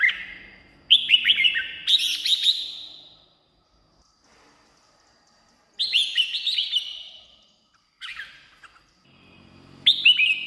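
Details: Red-whiskered bulbul song used to excite caged birds or attract wild birds: loud rippling, slurred whistle phrases in bursts, separated by seconds of silence.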